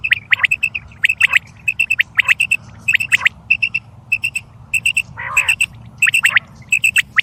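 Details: Quail calls used to attract quail for hunting: bright, short clipped notes repeated in quick clusters of two to four, with sharp rising chirps between them and a brief harsher burst midway.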